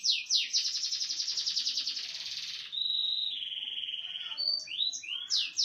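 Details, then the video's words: Small standard-type canary singing the variation style known as cililin: a long fast trill of rapid high notes, then a sustained steady whistle, followed by quick downslurred chirps and buzzy repeated phrases. "kenari std kecil variasi suara cililin"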